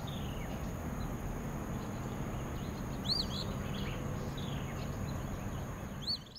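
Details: Eastern phoebe repeating its fee-bee at Spring Lake amid meadows and wetlands; two clear, rough, wavering high phrases three seconds apart, fainter bird notes between, steady low rumble and a continuous high-pitched whine.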